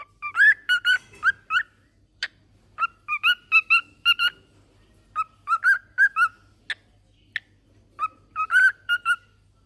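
A cockatiel sings a run of clear, warbling whistles, some rising and falling, in quick bursts.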